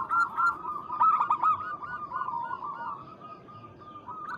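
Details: Local zebra dove calling a rival: a rapid run of short, mellow cooing notes at one steady mid pitch, loud at first and then trailing off softer toward the end.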